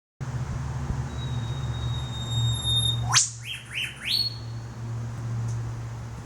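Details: Wild male and female Eastern whipbird pair near the top of a backyard tree in Australia: a long thin whistle, then the male's sharp whip-crack, quickly answered by two or three short rising notes from the female, over a low steady hum.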